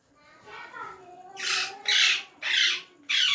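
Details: Hand-tame rose-ringed parakeet talking in Urdu/Hindi; a softer tonal murmur builds into four loud, raspy spoken syllables, the last cut off at the end.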